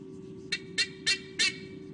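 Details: A female white-bellied sea eagle at her nest in Sydney Olympic Park in 2015 gives four loud, harsh, honking notes about a third of a second apart while fiercely protecting her chicks from an intruder, probably a Southern Boobook owl (unconfirmed), over a steady low electrical hum.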